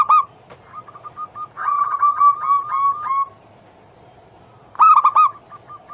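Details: Zebra doves in a recording used to prompt others to sing: overlapping voices give rapid runs of short coos, then after a pause one dove delivers a loud burst of three cooing notes.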